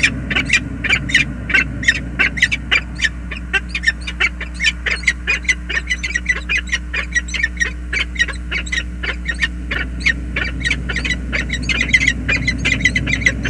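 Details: At a bridge nest in the USA in February, a male and female peregrine falcon share a tender two-minute meeting, calling in a long run of quick, raspy repeated notes several times a second, with constant low background hum.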